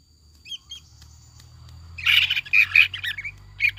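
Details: Greater green leafbird lure recording for rousing a captive bird's song: faint chirps, then loud chattering, squawky phrases with bright whistled notes mixed in, over a constant low hum.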